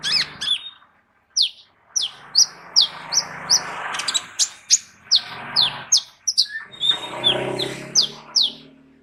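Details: Sunbird locally called kolibri ninja, used as a vocal tutor for other birds, pouring out a steady series of sharp, downward-sweeping high notes, roughly two per second, over background hum and rustle.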